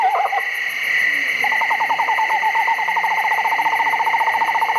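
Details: Recording of an Eastern Screech-Owl played during an owl talk, showing that this owl doesn't hoot: a quavering, mournful whistled whinny that drops, then a long even trill on one pitch, over a steady electronic hum.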